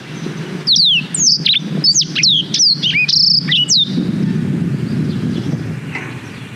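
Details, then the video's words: High sweeping whistles from a black-throated canary, a bird used for tutoring canaries, recorded on a GoPro Hero 5: about three seconds of quick, sharply descending notes, then only low background noise. "Suara Blackthroat Durasi Panjang Untuk Masteran Kenari"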